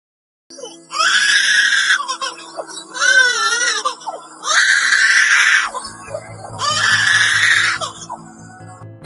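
Harsh, rasping screams from a lyrebird in bursts of about a second and a half, with a wavering whistled phrase between them, over a low music track.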